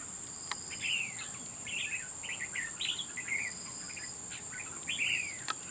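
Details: Red-whiskered bulbul in a fight at a bird trap, giving a near-continuous run of quick chirped and slurred phrases, some falling in pitch, with a constant shrill insect tone and sharp clicks.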